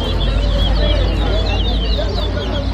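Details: Chestnut-bellied seed finch (towa towa) singing at a bird whistling competition at Lusignan, Guyana, 2023: rapid, high whistled notes repeated steadily over a strong low rumbling background noise.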